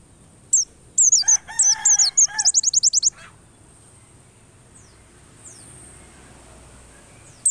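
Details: White-eye song used to provoke white-eyes into singing persistently: a rapid burst of high, thin descending slurred notes around two seconds, then quiet with faint distant chirps and a steady high hiss.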